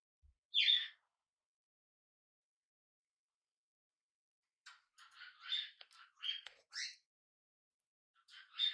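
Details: Young tame budgerigar on its first day at home: one loud raspy chirp, a long pause, then soft rapid chattering twitters and clicks.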